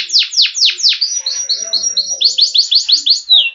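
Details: Yellow canary song made of distinct tours: four loud descending whistled sweeps, then a quick series of soft high chips, then a rapid run of rising-falling notes ending in a short slur.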